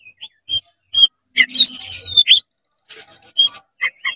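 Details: Oriental magpie-robin in fast, agitated song with tail spread, used to provoke other magpie-robins: isolated sharp notes, a long harsh buzzy phrase with high whistles, then spaced chattering bursts and short whistled notes.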